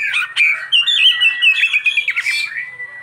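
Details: Oriental magpie-robin with a richly varied song full of mimicked phrases: loud, continuous warbling with quick chattering notes, squeaks and slurred whistles.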